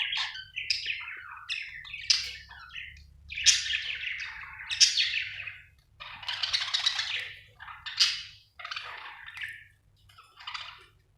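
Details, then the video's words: Budgerigar chirping in bursts of warbled, scratchy chatter with squeaky high notes, phrases lasting about a second and separated by short pauses, in a quiet setting. "Budgie chirping sound"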